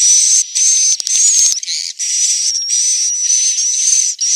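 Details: Swiftlet roosting call from Central Sulawesi, Indonesia: harsh, hissing buzzy chirps, each about half a second, with a thin high whistle running through them, repeated almost without pause and broken by brief crackly gaps.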